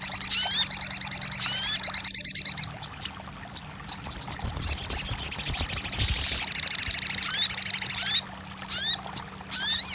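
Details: Crested jay, played as therapy to get a silent bird singing, giving very high rapid trills in long runs, broken by short downslurred whistled notes and brief pauses.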